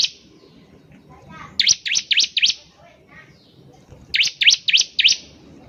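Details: Bar-winged prinia in full, vigorous song, used to draw out song from other birds: two bursts of four or five ringing, high, slurred chirps, separated by a quieter interval with soft background noise.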